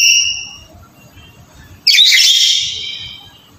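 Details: Black-capped lory sounds used to stir a quiet bird into calling: a fading whistled note, a pause, then one harsh, broad, rasping screech lasting about a second before trailing off.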